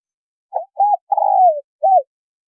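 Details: A single cooing phrase from male and female spotted doves. Two short soft coos lead into a long coo that slides downward, then one short coo ends the phrase. The recording is clean, with no background sound.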